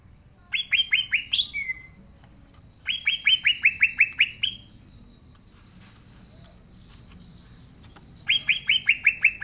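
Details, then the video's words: Green leafbird in full song (gacor), a natural recording for use as a lure for young birds not yet singing: three bursts of rapid, downslurred whistled notes, six to eight per burst, with a short trill between them. "Cucak Ijo Gacor Suara Asli Cocok Buat Pancingan Cucak Ijo Yang Belom Mopeng & Trotol"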